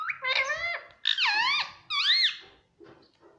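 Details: Indian ringneck kept as a talking pet, saying mummy and papa: three strong, nasal, harmonic phrases, each bending up then down, followed by a faint trailing note and quiet room sound.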